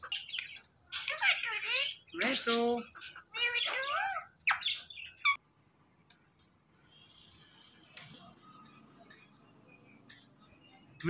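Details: Indian ringneck parakeet vocalising in a burst of harsh, rapidly modulated chirps and squawks for about five seconds, then near silence with faint background hiss.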